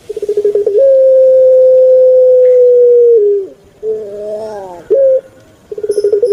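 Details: Captive puter pelung dove, Indonesia: rapid rolling notes build into a sustained flat coo lasting over two seconds, then a dip, a rasping rising harmonic phrase, a short sharp note, and renewed rolling pulses.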